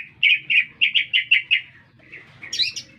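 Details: Green leafbird singing in a city: six even repeated whistled chirps, then softer notes and a high buzzy flourish at the end, over a faint low hum.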